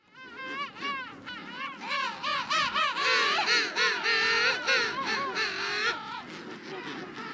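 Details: A captive king penguin colony at Loro Parque fills the air with loud, overlapping trumpeting calls, rich and warbling, rising and falling in quick pulses from many birds at once.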